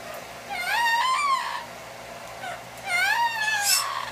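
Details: Captive yellow-naped amazon hatched in 1987, worked up by a blow dryer in the room, utters two long wavering wails like a crying baby, each rising then falling with strong overtones, a short sharp note at the end, steady hum beneath.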